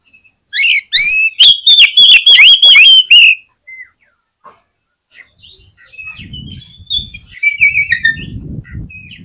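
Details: Singing oriental magpie-robin, played to provoke rival magpie-robins into quick song: rapid, loud, repeated whistled notes for about three seconds, followed by softer chattering phrases over low rumbling background noise.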